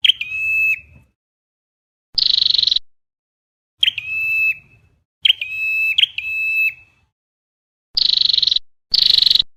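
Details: Trapping lure of a red-headed flowerpecker: level whistled notes, each framed by quick clicks, then rattling buzzy bursts near the end, with short silent gaps between phrases.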